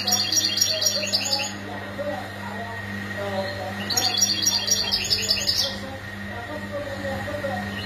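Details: European goldfinch mating calls used to stimulate males to sing: two bursts of rapid, high, tinkling chirps and twitters, each lasting about one and a half seconds, separated by a quiet gap, over a steady low electrical hum.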